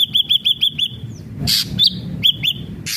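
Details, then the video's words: Ashy drongo singing: a quick string of five clear arched whistles, then a loud harsh burst, a thin drawn-out whistle and more scattered arched notes ending in another rasp. "srigunting abu abu gacor"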